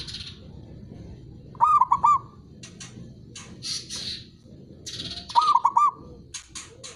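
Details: Local zebra dove song meant to spur silent doves into singing: two short rolling coo phrases of rapid staccato notes about four seconds apart, over a backdrop of high, hissy chirping bursts and a low rumble.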